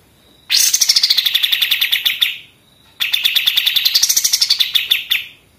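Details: Two rapid, machine-gun-like trill phrases from a pied triller, song used as a model for training other songbirds; each phrase is a dense run of clipped notes falling slightly in pitch, with a brief gap between them.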